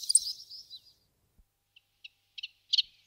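A Common Chiffchaff gives four short, bright notes about three to a second, growing louder, after a burst of higher, jumbled twittering.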